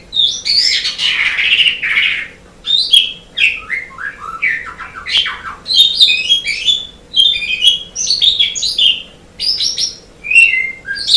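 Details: Asian pied starling song from a long master recording made for training competition songbirds: varied chattering phrases of whistled, slurred notes mixed with harsh raspy bursts, delivered in rapid bouts separated by brief pauses.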